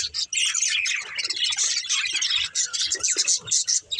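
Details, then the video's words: Budgerigars, kept as pets, chattering while they play and eat, a steady stream of quick, scratchy high chirps and warbles with brief pauses between bursts. "Cute Budgies Chirping Sounds"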